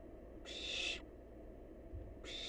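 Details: Wild barn owl nestling on leftovers produces one long harsh hiss of about half a second, then the start of another, against a low hum.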